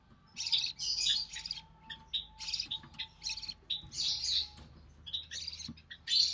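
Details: Recessive pied budgerigar chick, hatched early June 2020, in a nest while its mother feeds it; bursts of high, raspy chattering chirps come in rapid clusters with brief pauses, over a faint steady hum.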